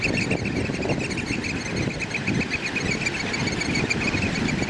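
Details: In a territorial piping display, African black oystercatchers pipe a rapid, continuous stream of shrill, high notes, several birds together, over a steady low rumble of surf or wind.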